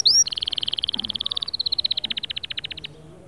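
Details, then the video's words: A canary sings a long, fast, even roll of short, high notes that slows slightly toward the end and then stops, after one brief sweeping note at the start. "اياك وتقول عصفوري الكناري ساكت أدخل عليه البهجة بالمقطع الاكثر تحفيز نار نارcanary"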